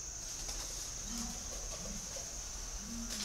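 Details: Spotted dove giving three soft, low, slightly rising coos about a second apart, set against a persistent high whine and light background noise.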